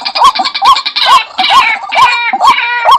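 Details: White-breasted waterhen calling, used to lure birds into traps: loud, hoarse rising notes roughly every half second over rough, layered harmonic squawks.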